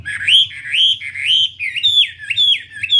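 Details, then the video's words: Energetic Wambi song made of looping whistled notes, each sliding up then down, repeated roughly twice per second in an even chain, with a faint low hum behind. "Burung wambie"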